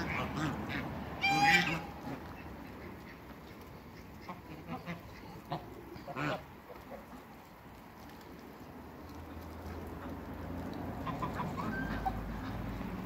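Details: African and Toulouse geese kept in a backyard along with waterbirds, one loud nasal honk early on, then scattered softer honks and clucks, with low background rumble throughout.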